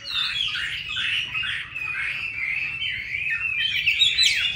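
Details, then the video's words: Caged Chinese hwamei in Hanoi, Vietnam, singing an unbroken stream of high, slurred, somewhat harsh warbling notes. "Mi đẹp vn9966. Giọng hay"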